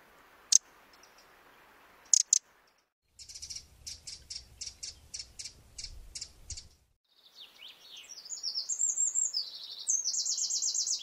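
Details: Eurasian wren (Troglodytes troglodytes) call from Córdoba: a few sharp clicks, then about ten hard, high ticking notes, followed by a rapid, high-pitched trilling burst.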